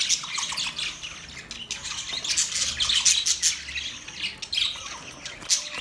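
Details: Budgerigars in mating: busy, grating chatter of high squawks and chirps, with a few clearer whistled notes in the middle.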